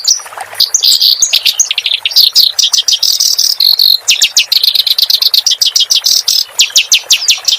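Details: Clamorous reed warbler song, used as a master recording for training cage songbirds: a busy run of high, sharp chirps and short buzzy phrases, with rapid ticking notes stacked close together throughout.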